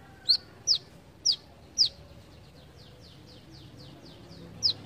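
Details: Brown-throated sunbird, besetan-style delivery: four loud, high, down-slurred notes spaced about half a second apart, a run of faint similar notes, then one more loud note.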